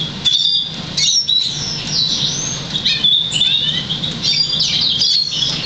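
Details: Crested Black Siskin crossed with Russian Canary, 50% variegated, bred in August 2009 and trained to sing European Goldfinch notes; phrases of high twittering and descending slurred notes in bursts roughly every second, with low hum.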